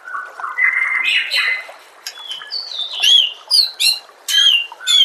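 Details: White-rumped shama song for training caged birds: buzzy warbled notes first, then clear whistles and sharp, high, sweeping notes, each a separate burst toward the end.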